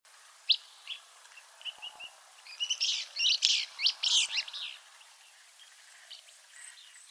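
Willow flycatcher giving a quick burst of sneezy, buzzy high notes midway through, with thin scattered chips before and after.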